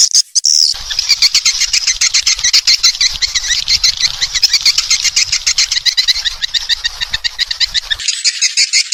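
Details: Swiftlets making lure calls for young birds to enter a new nesting building: a fast, buzzy, high trill of dense pulses, then a brighter twittering at the end.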